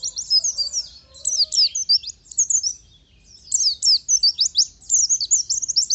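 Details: Oriental white-eye, a caged songbird kept for song, singing a rapid high twittering run of sharp chirps and slurred whistles in bursts, a short pause near the middle, faint low hum beneath.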